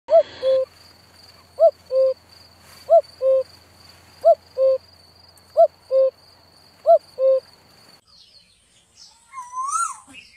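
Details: Birds calling with low, soft hooting notes given in pairs, each pair repeated about every one and a half seconds, over a steady high whine that stops near the end, followed by a brief rising call.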